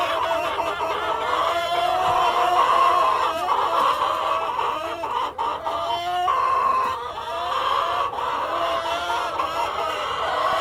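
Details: Farm hens with a cockerel in a dense chorus of overlapping clucks and whining calls, with a few louder rising squawks around five to seven seconds.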